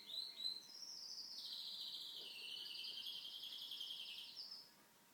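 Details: Indoor pet canary in song while TV is on; after a couple of short notes comes one long, steady, rapid high trill that dips slightly and rises again before stopping abruptly.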